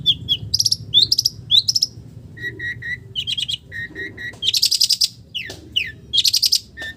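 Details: Long-tailed shrike with village-bird imitations. Upslurred whistles lead to lower triple-note whistled phrases, then buzzy, trilled bursts, so the sequence shifts between very different voices.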